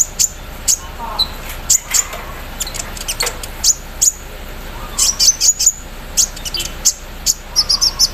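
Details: Javan sunbird singing in morning dew, in embroidery-machine style: sharp, high, sputtering chirps in irregular rapid groups with brief trills, faint murmur underneath.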